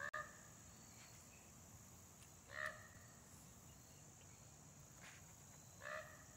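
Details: Common raven yelling at a hawk while hiding in a big pine: three short, hoarse, harmonic calls spaced about three seconds apart, over a steady high-pitched whine and soft background hiss.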